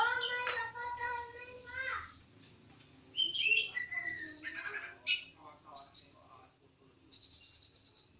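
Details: Bird in vigorous song, opening with lower harmonic warbling notes, then high buzzy trills, short slurred whistles and pure piercing notes in varied phrases separated by brief pauses.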